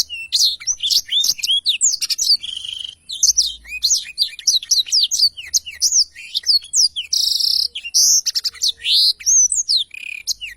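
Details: Long rolling ngerol panjang song of a very lively Blackthroat, a training recording: over ten seconds of unbroken, fast, high chirps, slurred whistles and brief buzzy notes tumbling together without pause.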